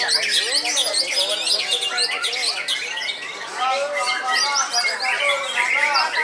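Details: White-rumped shama, an old bird in a cage still singing actively: arched low whistles at the start, then dense, high twittering and slurred notes that rise and fall rapidly.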